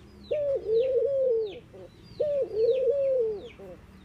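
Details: Two drawn-out, low coos from mourning doves, each lifting at first and then sliding down in a wavering hum, followed by short soft notes, with high descending chirps of other birds.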